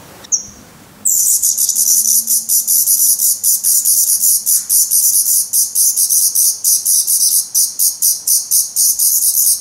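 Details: Hungry Black Redstart nestlings in a nest in Portugal, 17 May 2020, feathered and losing their down, give a dense, shrill, hissing begging chorus of rapid high-pitched pulses after a brief quiet start.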